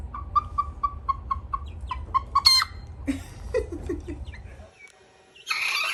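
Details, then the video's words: Six-week-old Olive Egger cockerel learning to crow: a hiccupping series of short, evenly spaced mid-pitched notes about four per second, a louder squawk, then lower wavering notes, over a low background rumble. "6-week-old Olive Egger Roo learning to crow"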